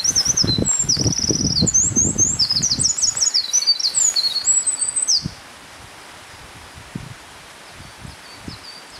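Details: Eurasian wren song: a fast, loud, high cascade of trills and twittering notes lasting about five seconds, over steady rushing background noise that continues after the song, with low knocking sounds early on.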